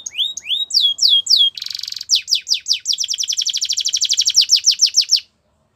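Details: Training song of a Russian canary: a run of descending slurred whistles, a brief rattling buzz, then a long rapid series of sharp downward notes repeated about four per second, ending abruptly.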